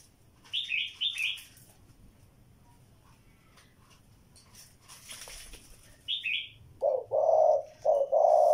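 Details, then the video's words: After several seconds of another bird's high twittering chirps, a spotted dove starts a series of deep, mellow coos repeated in short, evenly spaced phrases at the end. "Cu gáy"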